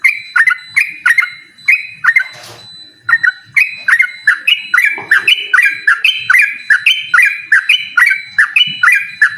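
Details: Yellow-vented bulbul pressing a rival with rapid 'ropel' song: a long run of sharp, flicked whistles roughly two to three per second, briefly broken by a rushing noise burst early on, then resuming faster and rising slightly.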